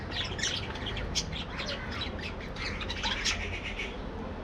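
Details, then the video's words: Colony of captive budgerigars in a breeding aviary, morning activity: dense overlapping chirps and squawky warbles, many birds calling together without pause, over a low background hum. "Budgies Playing | Activities | Breeding | Colony Parakeets Morning Activities"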